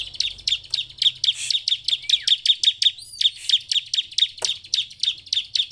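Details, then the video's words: Bar-winged prinia (ciblek) song, used in Indonesia as a lure to make silent captive birds sing along: sharp high chips repeated about four times a second in a steady run, with one swooping whistle midway and a faint low hum. "pancingan ciblek penuh emosi ini supaya ciblek diam ikut bunyi dan cepat gacor"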